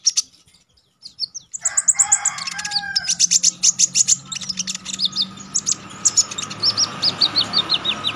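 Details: Orange-headed Thrush (konin) singing energetically in wild style with sharp shots, recorded to train contest birds: after a brief pause, dense high rapid chips and short whistles, with a faint low hum underneath.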